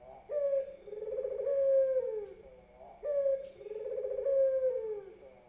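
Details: Barbary dove giving two deep, trilled coos. Each has a short sharp start and then a sustained purring middle that tapers off. A high-pitched steady hum persists in the background.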